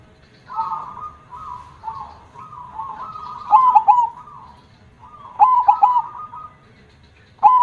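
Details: Zebra dove (perkutut) singing loudly with a big voice in the 'kong' style: bubbling, rolling coo phrases around one pitch, punctuated by sharper accented triple notes, phrases separated by short pauses, faint background hum.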